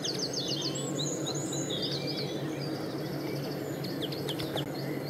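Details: Common linnet song with quick high chirps and short, sweeping twitters in loose bursts, set against constant low-pitched background noise.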